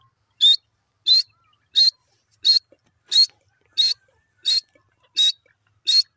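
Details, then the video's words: Pair of francolins (teetar) calling: a clean, sharp, high note repeated steadily about every 0.7 seconds, nine calls in a row, with a quiet background. "new jori teeter bird teetar voice"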